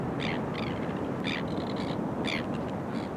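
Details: Crested Terns (Thalasseus bergii cristatus) courting and pairing up, early September 2020, Boat Harbour Aquatic Reserve, Kurnell, NSW, Australia: harsh, rasping grating calls in about five short bursts over steady loud surf.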